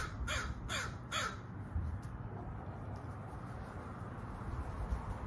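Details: Three quick, rasping crow caws in the first second and a half, then only a continuous low background roar with a few faint distant notes.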